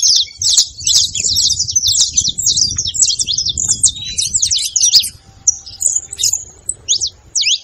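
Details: Song of the saffron finch, meant to fire up a silent bird: rapid chains of bright, clipped chirps pour out for five seconds, then thin to a few scattered notes.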